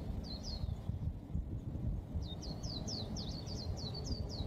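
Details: White-eye song: short, high, thin whistled notes falling in pitch, one pair early then a quick run of about eight, over steady low rumbling background noise.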